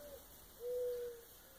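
A dove gives one soft, steady, low hooting coo lasting about half a second, with a faint shorter note just before it. Little else is audible.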